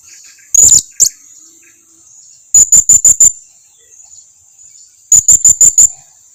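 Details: Blue-crowned hanging parrot lure call to draw answers from other hanging parrots: two opening squeaks, then two rapid series of five or six thin, very high, evenly spaced chips about two and a half seconds apart.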